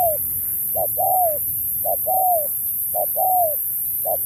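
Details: Spotted dove in a 2024 singing contest, singing in the Thúc style with Bo phrases: short clipped notes, then a drawn-out descending coo, repeated about once a second with steady rhythm.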